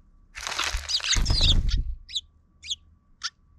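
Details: Sparrows fighting often at a park soon after being relocated there: a dense, harsh burst of overlapping chirps mixed with low wing-flutter thumps, followed by three short, sharp single chirps about half a second apart.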